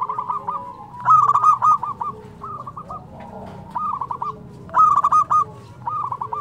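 Zebra dove song of quick, bubbling staccato coos in short repeated phrases, used as a lure.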